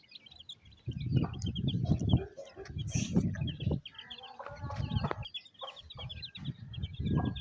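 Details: Rainy-day village scene in Pakistan, a mother hen feeding her chicks; bursts of deep, rumbling low sound dominate, while the chicks' high cheeping runs steadily above and the hen's soft clucks sit between.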